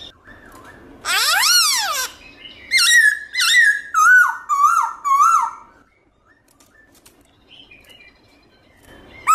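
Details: A black-throated laughingthrush sings wild-type song used to train and stimulate pet birds: loud, clear whistles in a sweeping rising-falling phrase, then a run of five or six descending slurred notes, then a pause.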